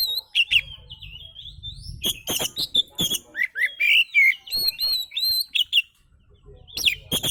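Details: Oriental magpie-robin singing, a relaxed song used to lure other birds: dense, varied phrases of sharp clicks, slurred whistles and high chirps, almost continuous, with faint low background rumble.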